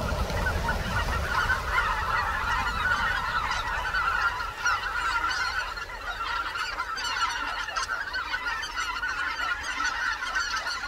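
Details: Greater white-fronted geese wintering on the Cheorwon plain in Korea, a dense flock giving overlapping high yelping honks continuously, with low rumbling background noise.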